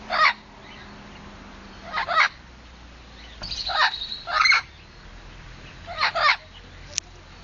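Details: Pet blue-fronted amazon parrot calling at its owner, apparently telling them to go away: loud harsh broadband squawks in short bursts, about five outbursts spaced one to two seconds apart, indoors with faint background hum.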